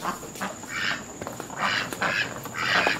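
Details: American black ducks from a family that has stayed near a house for about a month, friendly and approaching people; a few rough, raspy quacks sounding at irregular intervals against a faint steady background hiss.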